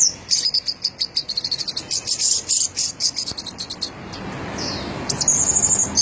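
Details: A champion orange-headed thrush in chatty 'teler' song: a long, rapid chain of high, clipped notes for four seconds, then a short falling whistle and a trilled, buzzy phrase near the end.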